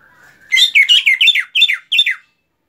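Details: Greater green leafbird, known locally as cucak ijo, giving a rapid string of six rich, buzzy descending phrases after a soft low lead-in note, delivered in quick bursts over under two seconds.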